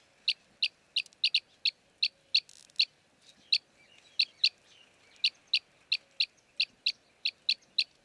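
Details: Arabian green bee-eater recorded in Jeddah, Saudi Arabia: a steady run of about twenty clipped, high chirps, some single and some in quick pairs, over a quiet background.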